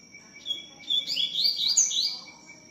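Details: Double-collared seedeater singing a lot, its song given as "tui tiu": a steady high whistle, then a run of rapid, bright slurred notes rising and falling, with a constant faint tone and low background hum.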